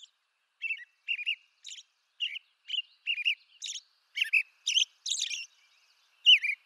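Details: Song of an American robin from eastern North America, a string of clear warbled whistles in separate two- or three-note phrases spaced under a second apart, later phrases higher and more squeaky, on a silent background.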